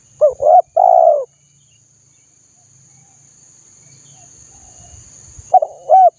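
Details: A spotted dove gives a coo phrase of two short arched notes and a long coo, a long quiet gap, then begins the phrase again. Recording for stimulating birds to sing; steady faint hiss.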